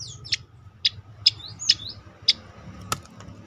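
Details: Striated grassbird in tembakan style, meant to prompt and train other birds: snapping notes with quick downward and upward whistled slurs between them, then one loud broad crack near the end, over low background hum.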